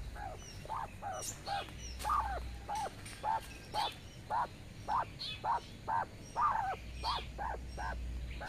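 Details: A quail hen out grazing in the sun with her twelve chicks gives a steady string of short, low clucking notes, about two a second, calling chicks that lag behind, with faint high chick peeps and a low hum.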